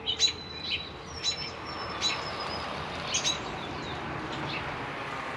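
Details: American robin chicks, four young aged about 2-3 days and one a little older, fed in the nest by both parents; sharp high peeps and a few thin drawn-out whistles come in bursts, busiest at the start and around three seconds.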